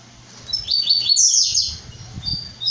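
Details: {'caption': 'Brown-plumaged blue-black grassquit delivers a single buzzy, rasping burst that rises steeply and then trails off. Faint high ticks follow, with a low hum and soft background rumble.'}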